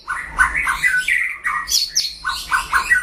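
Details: Captive white-rumped shama singing in a solo duel against a rival: clear whistled phrases near the low-middle range, repeated in quick bursts roughly every quarter second, with higher sweeping notes in the middle and a low steady hum underneath.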